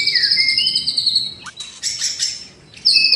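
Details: A white-rumped shama in rich, varied song used to train birds in the morning: high wavering whistles, a burst of harsh scratchy notes, a pause, then a loud fresh whistle.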